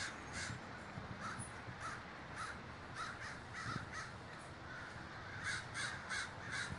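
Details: Davis, California crows at a great gathering, a steady stream of coarse repeated caws from numerous birds, growing denser toward the end, over low noise.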